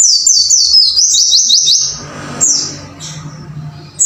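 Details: Caged white-eye (pleci) being trained to sing: a fast run of high, sweeping whistled notes for nearly two seconds, then a low hum with a few scattered thin notes and a final bright note.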